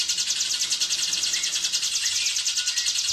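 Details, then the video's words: Hill prinia in full song: a high, buzzy, very fast trill of closely packed notes, poured out without a break, over faint background hiss. "Ciblek Gunung Gacor Ngebren Speed Rapat"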